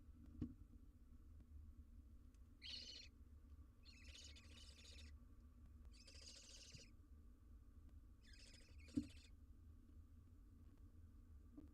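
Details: Barn owl owlet in the wild on a live cam, handling an outsize jird; four quieter, ragged, stuttering hiss-screeches spread across the recording, over a low steady hum and occasional sharp knocks.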